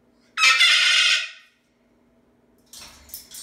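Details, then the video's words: Single loud, rasping scream from a pet Moluccan cockatoo kept indoors, lasting nearly a second, followed by quieter rustling and a short noisy burst near the end. "How loud are parrots, can they get crazy loud? My Moluccan Cockatoo showing you how loud"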